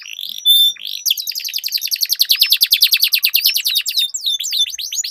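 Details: Duelling canaries with long rolling song: a few clear whistled notes open, then a fast, continuous rattle of bright repeated notes at over three per second, ending in looping, twisting phrases.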